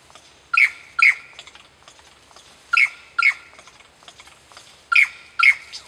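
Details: Lyrebird imitating kookaburras and laser guns, giving loud sharp harmonic notes in pairs, each pair about half a second apart, repeated roughly every two seconds, with faint chatter in between.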